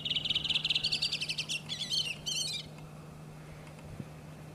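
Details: Redwing singing in Iceland in April, the most common bird there: a fast run of about a dozen bright, high repeated notes, then a tumbling twittering flourish ending near 2.6 seconds, followed by quiet with a low steady hum.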